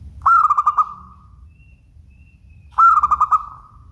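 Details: Clear song from a local zebra dove: two identical phrases of fast bubbling coos, five or six beats each, tailing into a soft drawn-out note, separated by a quiet pause with low hum.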